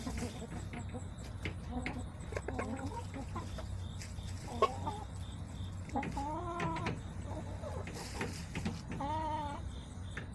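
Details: Backyard hens on 21 September 2024 give short clucks, then two rising-and-falling drawn-out calls near the middle and end, with scattered clicks and a constant low hum in the background.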